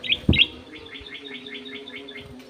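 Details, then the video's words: Golden-fronted leafbird, aviary-kept, clear-voiced: two loud bright chirps, then a quick run of about ten softer repeated notes over a steady low humming drone. "BURUNG CUCAK EMAS SUARA JERNIH"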